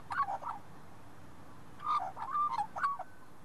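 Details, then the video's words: A wild Australian magpie in an Australian shopping centre car park, apparently chatting with a person: short warbled, yodelling notes in two bursts, swooping between mid pitches, with a quiet gap between them. "MagpieConversation-Talk with Wild Bird"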